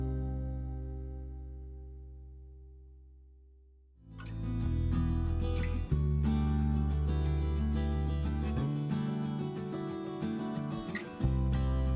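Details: Only music is heard: a sustained low chord fades out, then strummed acoustic guitar plays steadily with no animal sounds.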